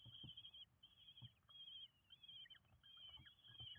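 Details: Common kestrel chicks, five, begging during feeding at a nest in Windsbach, Germany, 27 June 2022; piercing high wavering calls in short repeated phrases, with faint soft thuds.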